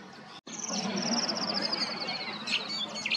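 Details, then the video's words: Tawny grassbird calling in Queensland, Australia: a long, rapid series of high notes sliding steadily downward, then a few sharp chirps, over a dense wash of insect and wetland background noise. "The most pristine sound of the Tawny Grassbird's call"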